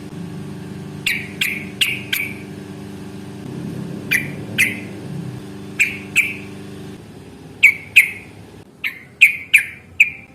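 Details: Yellow-vented bulbul (trucukan) fighting calls used to coax other bulbuls to reply: short sharp chirps in clusters of two to four, separated by pauses, over a continuous low hum like an engine or fan.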